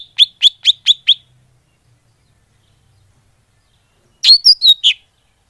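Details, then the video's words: Greater green leafbird lure call: five quick, sharp chirps, then after a pause a brief burst of four richer, warbling notes; nothing else is heard. "Suara Pikat burung cucak hijau / leaf bird call"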